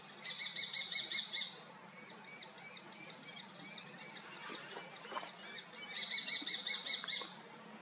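A common kestrel gives two bursts of sharp, rapid, high kee-kee-kee notes.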